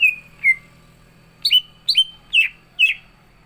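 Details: Greater green leafbird (cucak ijo) in 'gacor isian' song: two clear falling whistles, a short gap, then four louder, slightly burry downslurred notes spaced about half a second apart.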